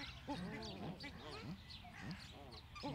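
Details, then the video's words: An Australian shelduck gives low, nasal honking calls, several arched notes repeated about every half second, with other waterfowl calling faintly behind. "Australische casarca (Tadorna tadornoides)"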